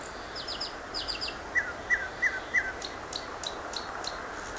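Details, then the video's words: Nightingale song used to tutor cage birds: quick high trilled notes, then four loud slurred whistles about every half second, followed by repeated sharp high chips, with background hiss. "Masteran tembakan Nightingale"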